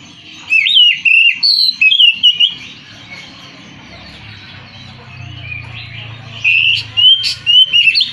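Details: An Oriental magpie-robin sings choppy phrases of whistled and chirping notes, pauses, then resumes with similar looping whistles. A low rumble rises during the gap.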